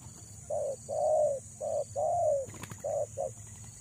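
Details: Female spotted dove used as a decoy to lure males, giving a series of low, mellow coos: two short notes, two longer drawn-out coos sloping downward, then two short notes after a brief click.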